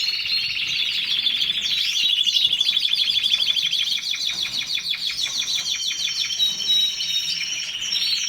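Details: Canary singing a long, unbroken song of fast rolling trills, sharp repeated chips and clear whistled phrases, shifting between high buzzy and ringing notes with no other sounds.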